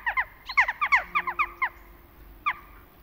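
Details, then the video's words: Western jackdaw calls in autumn: a quick run of about a dozen short, clipped, slightly descending 'chak' notes over the first second and a half, then a pause and one lone note. "insects and birds in the autumn corvus monedula"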